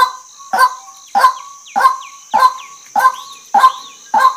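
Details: Honking, nasal calls of a female white-breasted waterhen, each sharp note repeated roughly every 0.6 seconds in a steady series, with small curved squeaks and a continuous high hiss in the background.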